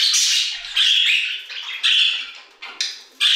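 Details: Budgerigars singing in an aviary: a run of bright, buzzy chirps and scratchy warbled notes, bursts separated by short gaps, with a hard squawk ending the phrase.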